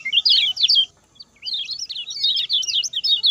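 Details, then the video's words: Lemon-bellied white-eye song used as a master recording for training other birds, short fast style: rapid high twittering bursts of sharp chirps, a brief pause near one second, then a longer run of quick notes. "SUARA KECIAL KUNING SPEED PENDEK, TERBAIK UNTUK MASTERAN"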